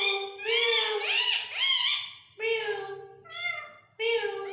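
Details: Captive Indian ringneck parrot mimicking speech in Urdu/Hindi, saying phrases like "Mian Mithu" and "Mithu oye": high, nasal, word-like syllables in three bursts with brief pauses, in a small indoor room.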